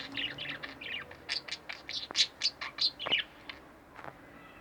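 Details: Caged pet budgerigars, two birds indoors, chatter in a busy run of varied high chirps and short twittering notes, some dropping sharply, with low background hum.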